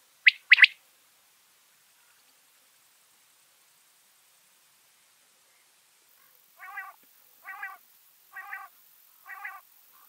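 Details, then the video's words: Birds in a Washington State backyard: two sharp, high chips, a quiet pause, then four nasal, buzzy calls at an even pace, about one every second. "Backyard Birds (4K) 2 Hour Ambient Nature Film with Real Bird Sounds - Washington State"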